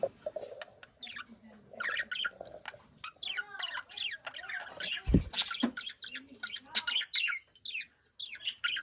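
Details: Budgerigar in a cage giving a busy stream of quick chirps, squeaky rising and falling notes and short chattering warbles, almost without pause, with a single loud knock midway.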